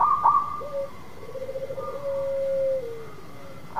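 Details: A local zebra dove sings to draw a silent dove into song. Brief stuttering notes lead into one long, even, lower coo that dips at the end. A faint steady hum runs underneath.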